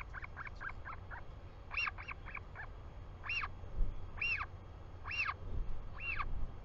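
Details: Royal albatross chick greeting its father as he returns to the nest, filmed on a live nest camera in New Zealand, 24 July 2020 at 4:06 pm. A quick run of short arched squealing calls, then louder ones spaced about a second apart, over low wind rumble.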